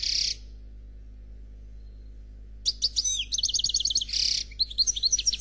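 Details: European goldfinch singing in the Noir Khalwi style, a flawless song: a short high burst, a pause, then rapid twittering with buzzy trills and fast repeated bright notes, ending in a harsh rasp followed by more quick chirps.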